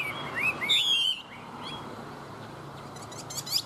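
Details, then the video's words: A tame Chinese hwamei sings a short burst of clear, swooping whistles and a bright sustained note in the first second, then falls mostly quiet before a brief high flourish at the end. "Họa mi thuần hót tốt"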